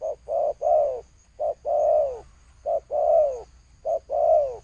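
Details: Spotted dove cooing in the thổ sấm style: short low coo notes followed by longer descending coos, phrases repeated three times in quick succession over a quiet background.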